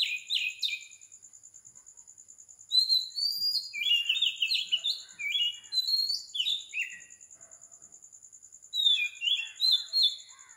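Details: Early-morning song of an Oriental magpie-robin at 4 am in Sri Lanka, a lively string of sweet whistles and rapid chirpy notes with brief gaps, accompanied by a continuous high insect pulse.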